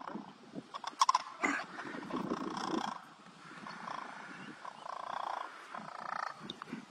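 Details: Sandhill cranes give harsh, rolling, rattling calls in uneven bursts, loudest early on, over scuffling and a brief voice, as they defend their young colt from a charging male turkey in Sarasota, Florida, on 12 April 2021.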